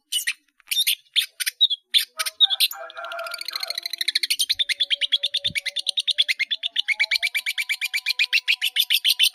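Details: Energetic song of a long-tailed shrike in full voice, packed with varied fill-in phrases: sharp high chips give way to a long, fast train of evenly repeated buzzy notes that quickens toward the end.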